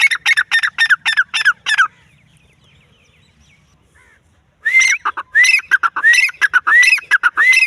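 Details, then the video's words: Rapid, clipped francolin notes open the recording, then a few seconds of near silence, before the wild grey francolin resumes with upslurred whistles and harsh chattering bursts in quick succession. "bhura teetar|teetar awaz"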